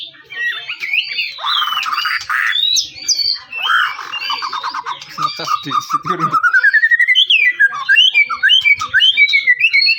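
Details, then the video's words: White-rumped shama song used to provoke other shamas into singing: varied whistled and chattering phrases, a long rising whistle near the middle, then rapid repeated sharp notes; faint low background noise. "PANCING MURAI BATU BUNYI CESS PLENGG!!!"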